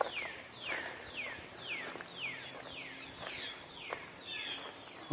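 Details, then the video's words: Recorded 29 June 2024: a Northern Cardinal sings a steady series of about nine clear, downslurred whistles, roughly two per second, over faint outdoor background noise. "here's a cardinal singing"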